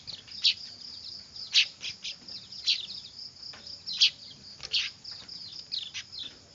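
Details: Weaver nestlings calling loudly, used as a lure: clusters of piercing high chirps about every second, some doubled, over a steady thin hiss.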